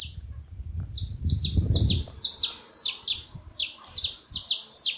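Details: At a feeding spot, a saffron finch repeats piercing, high, down-slurred chip notes in steady succession, about ten in four seconds, after a brief burst of low background noise.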